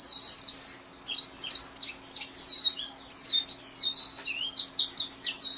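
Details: Nearly nonstop high, slurred warbling by a white-eye (pleci), notes tumbling in quick varied phrases with short breaths between, over a faint steady hum.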